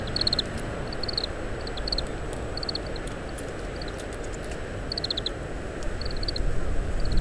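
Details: Soft, high chattering note clusters from an Oriental greenfinch husking summer camellia seeds, repeated irregularly, recorded via parabolic microphone in strong wind with faint clicks.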